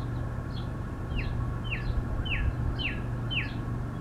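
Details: A male Northern cardinal in spring sings at full volume from a high perch: a run of clear, sharply down-slurred whistles, nearly two per second, over a steady low rumble of traffic.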